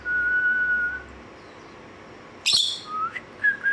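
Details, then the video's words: A lovebird singing gives an opening long, steady whistle, then a sudden shrill, harsh screech followed by short rising whistled chirps. "Love Birds Singing"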